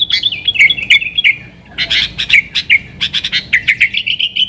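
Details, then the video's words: Sooty-headed bulbul song used as a lure to call wild bulbuls: lively, chattering run of short, bright chirps and whistled notes, some falling, tumbling rapidly with a brief pause midway, closely spaced and energetic throughout. "TRUCUKAN GACOR Nggaruda Super Ampuh Untuk Suara Panggilan Burung Kutilang Liar"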